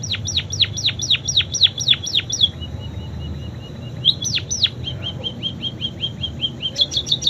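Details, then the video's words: Munia with imitated canary song: a fast string of steeply falling whistled notes, a short pause, softer repeated ticks, then another burst of rapid high trilling notes over a low hum. "Burung PIPIT Full isian KENARI"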